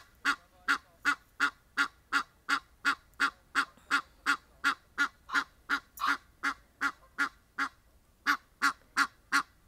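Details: Outdoor Egyptian geese calling in a long, rapid chain of around twenty-five harsh honks at about three per second, breaking off briefly near the end before resuming.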